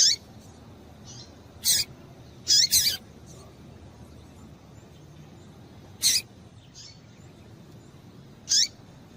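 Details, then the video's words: Female double-collared seedeater calls for stimulating males: sharp high chips, including a rapid pair, then single notes several seconds apart, with faint quieter notes and low background hiss. "Piado de Fêmea de Papa capim para Esquentar Papa capim"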